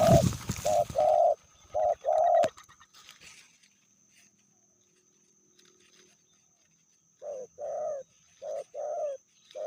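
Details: Spotted dove female, described as fiercer than the male, cooing under loud rustling and handling noise at first; after a quiet gap, clearer short hollow coos return in a rhythmic series.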